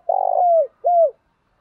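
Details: Spotted dove call for training and arousing male doves, one phrase: a low, fluttering rolled coo sliding into a smooth falling note, a brief gap, then a second clear coo that drops in pitch at the end.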